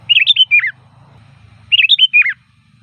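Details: Sooty-headed bulbul singing two matching short phrases of lilting, bubbly notes ending in a downward slur, about 1.7 seconds apart, with faint low hum; loud varied lure song for bulbuls.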